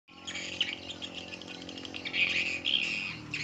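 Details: Edible-nest swiftlet calls used to attract swiftlets: dense, high, rapid chirping and twittering that runs continuously for over three seconds, with sharper bright notes near the middle and end.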